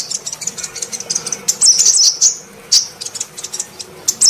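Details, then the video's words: Female sunbird call intended to lure reluctant males: softer string of tiny high ticks building into a brief louder cluster of shrill chirps, then trailing off into scattered thin notes. "Pancingan suara kolibri betina untuk memancing semua jenis kolibri males bunyi"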